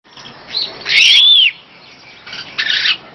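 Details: Superb starling song: a single loud, arched whistle that rises then falls, bracketed by softer short buzzy notes before and after, with faint hiss throughout.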